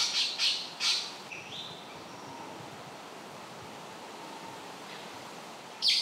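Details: A male Golden Bowerbird at his elaborate bower, placing ornaments to attract a female: three harsh, raspy bursts in quick succession, then a brief rising squeak, a quiet stretch, and one more grating burst at the end.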